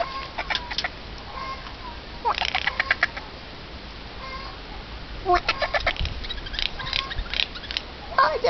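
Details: Eurasian jay calling: dry rattling clicks in short bursts mixed with brief tonal notes, scattered irregularly through the clip against a steady background hiss.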